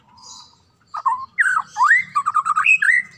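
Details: White-rumped shama heard in the morning, song said to set other shamas singing: loud varied whistled phrases, rising and falling slurs and a quick run of rich notes, with soft chatter before.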